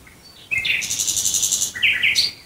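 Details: Nightingale near Dresden, Germany, singing at night: after a moment of quiet, a sliding whistle leads into a sustained fast buzzy trill. Then come two lower chirped notes and a sharp high note.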